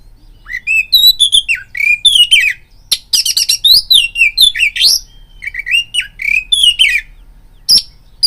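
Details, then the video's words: Oriental magpie-robin lure song for raising fighting mood: continuous rapid whistled phrases with downslurred notes, harsh rattling bursts and high chips, loud and energetic throughout. "BIRAHI TARUNG KACERMU NAIK DENGAR PANCINGAN KACER INI BUNYI"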